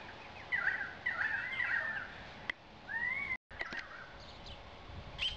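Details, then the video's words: Male Indian peafowl during his courtship display, giving two loud, strained, cat-like wailing notes, then a shorter rising call, a brief dropout and faint scattered clicks against an outdoor hiss. "Spectacular Peacock Courtship Display"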